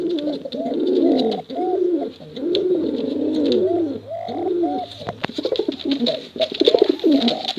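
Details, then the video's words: Cooing from male and female pigeons of a contest line, a continuous stream of throaty, undulating coos in overlapping phrases, later broken by rapid clicking taps. "Suara Bekuran Burung Merpati Lomba Hutan Dara Durasi Panjang"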